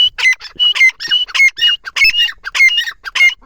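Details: Partridge calling loudly and continuously, a fast run of harsh, chattering squawk phrases repeating without pause, about six bursts in three and a half seconds.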